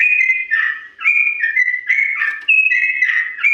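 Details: Yellow-vented bulbul singing a slow-pitched ropel phrase for imitation training: steady run of clear, liquid whistles alternating between higher and lower notes, with short downward slurs.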